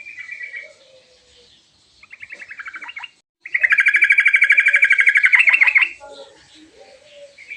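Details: Sooty-headed bulbul in full song, rich and varied, calling so others answer. Short warbles and a stuttering phrase give way to a loud, very fast, even buzzy trill about two and a half seconds long, then quiet low whistles.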